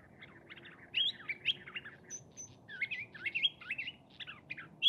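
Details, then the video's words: A Curve-billed Thrasher at Saguaro National Park, Tucson, Arizona, in the Sonoran Desert, sings a long, varied run of quick warbled and slurred phrases, rising and falling, some with sharp high notes, over a soft background hiss. "Song of the Curve-Billed Thrasher"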